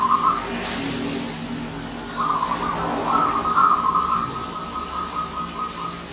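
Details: A visiting wild zebra dove gives a long, rapid bubbling trill of coo notes, with repeated high chirps from other birds and a faint vehicle rumble behind.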